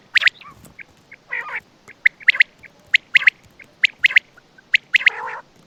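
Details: Quail calling at night in Attock: sharp, high clipped notes, often in quick triplets, repeated about once a second, with a few lower nasal, harmonic growling notes between them. Background otherwise quiet.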